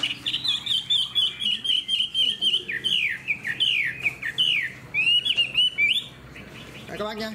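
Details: Hwamei kept in a cage, a fan-tailed bird praised for its good voice, delivering clear, loud whistled notes in a quick run, then looping downward slurs and rising sweeps, ending with a brief rattle.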